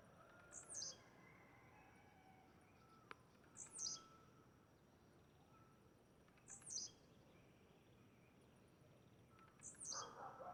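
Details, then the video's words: Wild blue-black grassquit singing in nature: a short, high, buzzy two-part note repeated four times, roughly every three seconds, over a steady low hiss of rural background noise. "Tiziu cantando na natureza"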